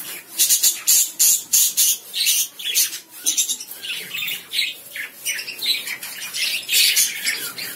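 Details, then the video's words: Lovebirds giving shrill, high chirps and harsh squawks in rapid irregular bursts, several calls overlapping in a busy, continuous chatter with no other sounds. "Love birds sounds"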